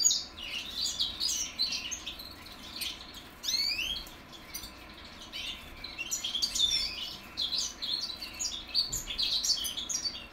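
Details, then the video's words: Goldfinch mules, 2021 youngsters, practising their song: busy high twittering and buzzy chirps, with a run of quick rising sweeps early on, then dense overlapping phrases above a constant low hum. "goldfinch mules learning how to sing"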